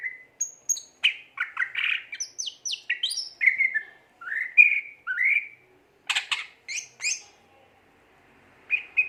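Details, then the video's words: Cucak ijo, the greater green leafbird, in gacor singing form: varied whistled phrases of rising and falling notes, quick downward sweeps, sharp clicky bursts and pauses between phrases. "burung cucak ijo gacor"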